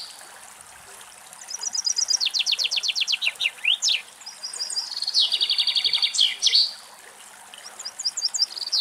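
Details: Common chaffinch (Fringilla coelebs) singing in Greek nature: a bright, high descending trill that speeds into a rattling run and ends in a sharp flourish, repeated every few seconds.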